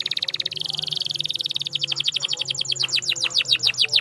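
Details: Canary song meant to prompt silent canaries into singing: a very fast buzzy trill rolling for over a second, then a repeated series of quick descending sweeps, with a low hum behind.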